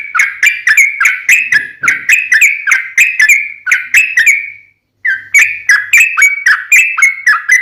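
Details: Sooty-headed bulbul singing a long rapid lure song to draw replies from other bulbuls: fast bubbly whistled notes, nearly four per second, broken by one brief gap before the run resumes.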